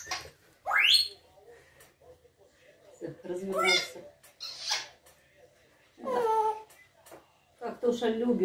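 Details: Grey parrot called Tosha, which mimics "oy", "ku-ku" and barking, gives a sharp rising whistle, then harmonic, voice-like chatter and squawks in short bursts, with a woman's Russian speech alongside in a small room.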